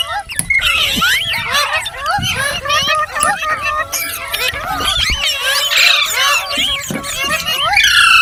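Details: Green rose-ringed parakeet chattering with a dense run of bent, whistled chirps and short squeaky notes, overlapping almost continuously with hardly a pause.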